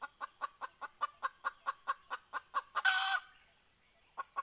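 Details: Red junglefowl decoy hen calling to draw in wild birds, 20 April 2020: a steady run of about fourteen clipped clucks, roughly five per second, capped by a harsh drawn-out cackle, then two more clucks after a gap.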